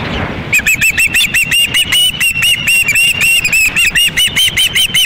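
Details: Osprey chicks at a nest in Lolo, Montana, on the evening of August 10, 2016, hungry as a fish is delivered and fought over; rapid series of high, sharp chirps repeated about four times per second, steady and insistent.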